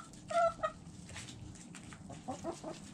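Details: Domestic chickens feeding and pecking, with a pair of clear harmonic clucks early on, quieter clucks later, and a sharp knock at the very end.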